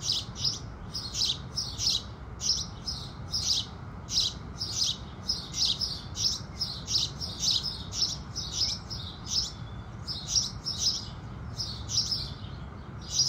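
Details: Busy sunrise chatter of house sparrows, a dense, rapid stream of about thirty high, bright chirps, several birds overlapping, with only faint low hum behind.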